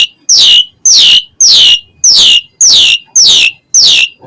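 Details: Singing Asian pied starling in a chatty, fill-in-rich style said to excite other starlings: seven loud, identical falling whistled sweeps repeated steadily, almost two each second.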